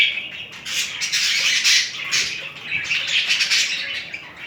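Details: Two budgerigars during mating, with romantic movements between them: continuous buzzy, scratchy warbling and squawky chatter, fairly loud and unbroken through the short recording.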